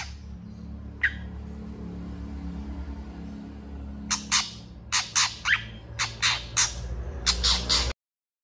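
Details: Long-tailed shrike in agitated full song, answered quickly by other shrikes: after a near-silent start with one thin note, a run of harsh, scratchy bursts repeats roughly every half second, with a steady low hum beneath.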